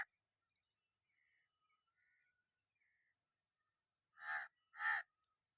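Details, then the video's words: Soft, thin whistled notes from small birds open the recording, followed near the end by two loud, harsh caws of a crow in quick succession. "Relax to the Soothing Sounds of Crows"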